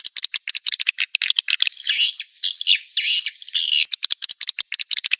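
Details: Lure sound called Joker for drawing edible-nest swiftlets into a swiftlet house: quick trains of high ticking chirps, about two a second, around a longer central stretch of buzzy, warbling twitter.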